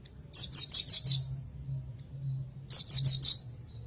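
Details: Javan bush lark song for reviving singing in silent birds: two bursts of six quick, high, buzzy notes, separated by a quiet gap of over a second.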